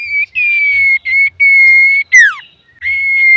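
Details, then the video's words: Male common iora in lively song, used as a lure and tutor for other birds: long steady high whistles broken by short gaps, then a steep downward-sliding note, and the long whistle resumes. "SUARA BURUNG CIPOH SIRTU GACOR COCOK UNTUK PANCINGAN"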